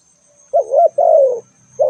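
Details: Spotted dove calling: low, soft cooing notes, a short double coo then a longer drawn-out coo, another starting at the end, over a faint steady high hum.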